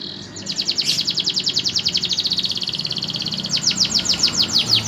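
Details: Canary singing a long, even, rapid trill of crisp repeated notes, about seven per second, then switching to slower, louder descending sweeps; faint low background hum.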